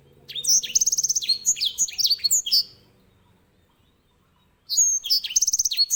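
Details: Grey singing finch song opening with swooping whistles and a quick pulsing trill, followed by a long silence and a repeat of the same trilled phrase.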